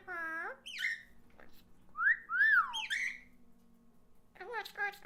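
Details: Orange-winged amazon parrot's voice played slowed down: drawn-out, wavering whistled and moaning tones rich in harmonics, several rising-then-falling swoops in the middle, and a quick warbling burst at the end, over a low steady indoor hum.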